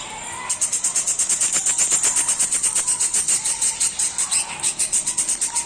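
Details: Blind pet parrot playing with other baby parrots, giving a rapid, steady run of harsh, hissing rasps, several each second, over a faint lower tone.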